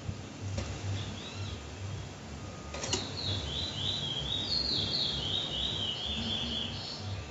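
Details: A seed-finch, locally called bullfinch, in Trinidad delivers a long, rambling warble of high, sweet slurred notes, continuous for several seconds, over a steady low background rumble.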